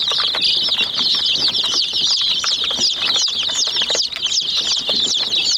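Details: A flock of chicks attacking a miniature toy jeep fills the air with nonstop shrill peeping, each note a quick up-and-down whistle, over scattered dry knocks from beaks striking the toy.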